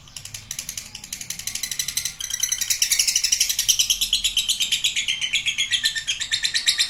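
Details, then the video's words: Lovebird performing a long ngekek trill indoors: quick buzzy chatter that builds in loudness after two seconds into an even, rapid pulse train of high rasping notes. "Love Bird Ngekek Panjang"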